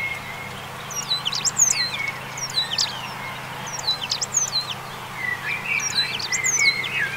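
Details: Eurasian penduline tit singing at a small pond in central France on 21 March 2020, during an early spring passage: very high, thin whistles sliding downward in short bursts, repeated in phrases about every second, over a low steady hum.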